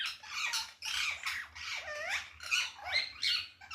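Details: Parrots calling loudly on a balcony, giving a fast, uneven stream of harsh squawks and bent, sliding screeches, roughly two per second, with no pauses.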